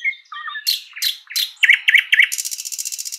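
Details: A sprosser's spring forest phrase of low piping notes, sharp knocking strokes, three rapid chook notes, then a sustained dry, buzzing rattle.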